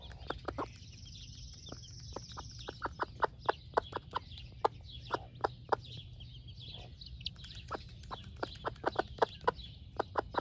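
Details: Over ten seconds, a broody red wyandotte hen of the splash laced type keeps up a stream of short clucks while feeding her baby chicks breakfast. Their thin, wavering peeps sound in the background.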